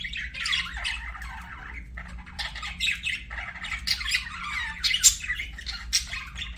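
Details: Budgies kept as pets keep up a busy, rambling chatter of squawky chirps and warbled notes, with brief pauses and sharper, higher bursts scattered throughout; faint low background hum.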